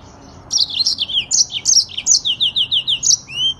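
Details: Short burst of Yellow-fronted canary song: sharp high whistles followed by a row of evenly repeated falling notes, about three per second, ending in a rising slur.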